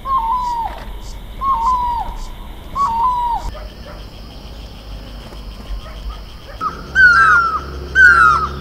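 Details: Great barbet, the mewli of Garhwal, in a blossoming horse chestnut in Uttarakhand: three plaintive falling notes, then a quiet gap of several seconds, then two louder, higher slurred calls.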